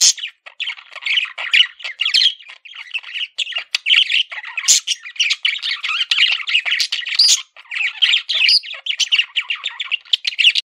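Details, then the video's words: Pet male parakeet (budgerigar) warbling at length, a busy flow of squawky chirps, clicks and twittering notes with few pauses. "MALE PARAKEET SOUNDS"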